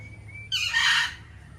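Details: Indian ringneck parakeet giving a single loud, coarse, drawn-out squawk lasting about half a second, preceded by a faint thin whistle-like tone.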